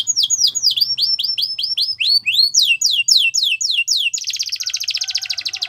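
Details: Singing Yorkshire canary in a training song for young canaries: repeated downward-swept high notes and rising whistles, ending in a fast buzzing rattle-like trill.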